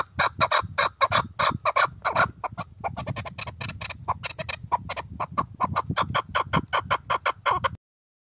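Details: Arabian partridge (Alectoris melanocephala), pheasant-family gamebird of the southern Arabian peninsula, giving fast, uneven bursts of harsh chattering chuck notes that crowd together, then stop abruptly near the end, with a low rumbling background.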